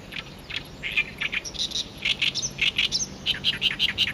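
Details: Oriental reed warbler singing near its song post, with a female bull-headed shrike close by and the two birds ignoring each other; harsh, chattering notes in quick bursts, loud grating syllables repeated several times a second.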